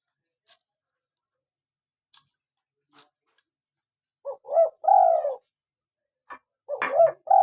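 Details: Local spotted dove calling vigorously, recorded to lure wild doves and prompt captive birds to call: soft high ticks in the first seconds, then two low, hoarse coo phrases, each a short rising note followed by a longer falling coo.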